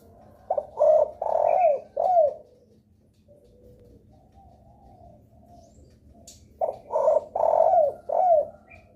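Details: Lure call of a spotted dove that prompts other doves to respond: two bouts of mellow low cooing, several quick notes then a drawn-out coo, separated by a pause of about four seconds.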